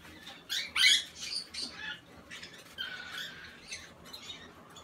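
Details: Barn owl chick, recorded 5 August 2017: harsh, breathy hissing bursts spread over a wide range, the loudest near one second, then a series of softer rasping pulses at uneven intervals.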